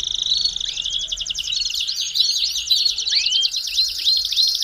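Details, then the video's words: Song of a Belgian canary meant to stimulate other canaries: continuous fast rattling trills at high pitch, laced with looping rising whistles that repeat near the middle and again toward the end. "CANTO PARA ESQUENTAR CANÁRIO BELGA RÁPIDO!!!"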